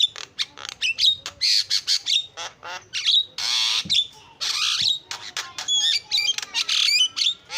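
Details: Javan myna filler song for training: loud grating screeches and long rasping bursts alternating with short clicks and thin whistles, fast and continuous.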